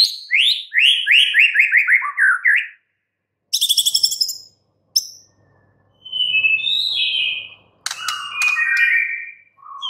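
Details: White-rumped shama, a caged bird, singing a rapid run of descending chirps, a dense burst of high notes, then slurred whistles with a faint low hum.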